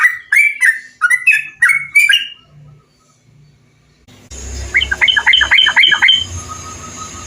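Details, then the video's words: Bulbul song from a training and lure recording for kept birds: quick gurgling phrases at first, then a fainter burst of warbles over steady hum and background noise. "MASTERAN dan PANCINGAN untuk SEMUA jenis burung TRUCUKAN biar gacor"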